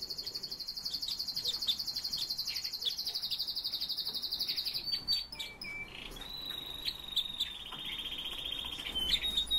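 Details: Pet red-billed leiothrix (Chinese nightingale) singing: after a long rapid high trill, clear whistled notes follow, sliding and stepping between pitches in short varied phrases.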